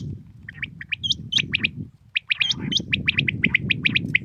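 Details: Common quail heard in the morning, giving dense runs of short bright notes falling into triplets, with some higher hooked chirps mixed in and low background rumble.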